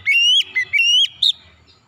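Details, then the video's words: Oriental magpie-robin singing to lure reluctant magpie-robins into song. Short phrase of clear, drawn-out whistles, each slightly rising and ending in an upward flick, then one brief higher note. "kicauan Kacer pemikat"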